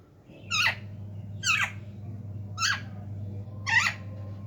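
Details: Talking parrots kept indoors utter four harsh, buzzy squawks at roughly one-second intervals against a low steady hum.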